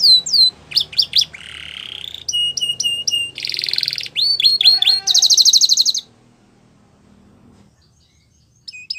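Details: Varied Belgian canary song with distinct phrases: clipped chirps, a buzzy rolling trill, rapid harsh rattles and a fast high trill, then a near-silent pause and a final note.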